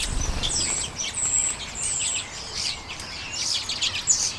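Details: Late January 2022 common redpolls feasting on sunflower seeds, Canon EOS M50: high, thin, slightly drawn-out twittering notes mixed with short chirps, a soft low thud at the start.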